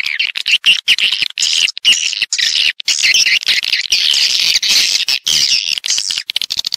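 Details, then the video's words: Swiftlet lure audio intended to bring the birds into nesting houses: steady, high, overlapping chirrups and buzzy twitters forming an almost unbroken wall of chatter with short breaks. "ÂM THANH CHIM YẾN"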